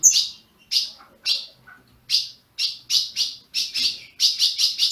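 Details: Caged Ultramarine grosbeak from a Brazilian breeder, used to stir up a captive bird. Well-spaced bright chirps open the clip, then speed up into a quick run of closely packed notes at the close.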